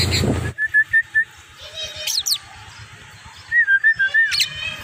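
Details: Tame Javan myna singing while taken on a walk along a road: short whistled notes near the start and end, buzzy rising sweeps, and a loud burst of noise at the opening.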